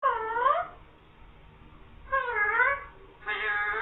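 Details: Green parrot talking, repeating the words "mian mithu" and "meow": three drawn-out, cat-like harmonic utterances with arching pitch, each under a second, separated by short pauses in a quiet indoor setting.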